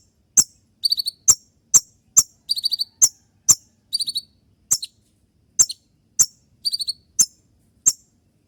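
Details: Gacor konin trotol in its shooting song, played at dawn to train other birds and draw replies from other konin: rapid sharp high ticks interleaved with short buzzy note groups, dense and even.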